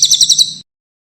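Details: Mountain leaf warbler song, used as a tutor recording for training songbirds: a brief burst of about five rapid, high, twittering notes in quick succession, fading out after half a second.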